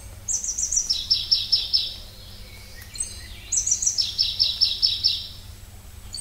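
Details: Pallas's leaf warbler (Pallas's warbler) singing: two loud high phrases, each opening with a few sharp chips and running into a fast, even trill of repeated notes, separated by a short pause; faint low hum underneath.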